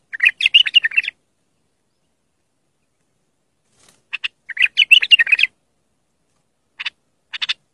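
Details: Pure bulbul singing meant to coach young birds: quick, warbling chirp runs of about a second each, a long phrase opening and another mid-clip, followed by two brief clipped notes, clean background.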